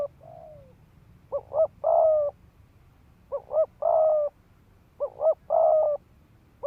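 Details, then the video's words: Spotted dove used as a ground decoy, cooing in 'thúc gù' style to provoke fighting males: a soft falling coo, then three phrases of two short coos and a long coo, regularly spaced. "Tiếng chim cu gáy mồi đất Thúc Gù kích bổi máu chiến"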